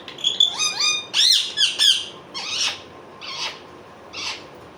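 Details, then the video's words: Indian ringneck parakeet talking, producing a few quick high, harmonic-rich word-like bursts and squeaky syllables, then softer separate utterances spaced about a second apart, over a quiet background hiss. "Indian Ringneck parrot talking"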